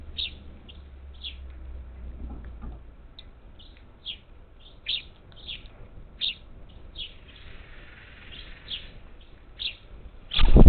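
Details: Parakeets in a flock of up to ten at a bird feeder outside Houston, Texas, 27 July 2021: a steady stream of quick harsh chirps, one or two each second, with a low hum early on and a sharp thump at the close.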